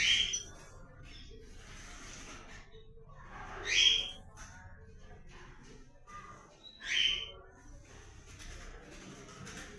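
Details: Blue-black grosbeak, comanche type, calling at the start of the breeding season: three clear descending whistled call notes roughly three seconds apart over a faint murmur.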